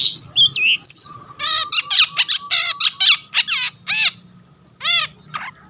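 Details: Long-tailed shrike in full song, used as a lure to make rival shrikes sing: varied, mimic-like medley of rich, harmonic, nasal downslurred notes and whistles in quick succession, a faint hum beneath.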